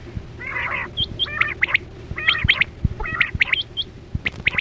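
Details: Quail lure sound for net hunting, 2024-25: harsh buzzy bursts alternate with crisp clipped whistles in groups of two or three, over a low background hum and scattered low thumps.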